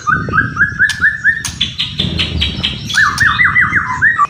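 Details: White-rumped shama singing kretekan and whistling, meant to stir emotion: a run of six quick repeated downslurred whistles, a burst of harsh broadband rattling notes, then a fast series of looping whistled phrases over low background rumble.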